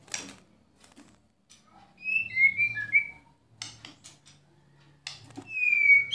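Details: Murai batu, or white-rumped shama, giving kretekan and tembakan phrases used to rouse other shamas: sparse, clear whistled slurs and short high notes with sharp clicks, fairly quiet, over a soft low hum.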